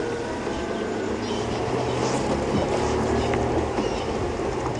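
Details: A vehicle rumbles steadily through the clip, with a dense rattling drone and faint voices, and no animal calls.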